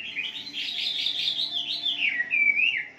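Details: Wambi singing on a morning lure track meant to set caged wambi singing. A dense, warbling jumble of high notes slides down into clear whistled slurs.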